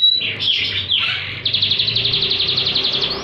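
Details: Canary in full song, used to stimulate quiet canaries and teach other birds: a few looping swept whistles, then a bright, regular rolling trill of about a dozen pulses a second, over faint low hum.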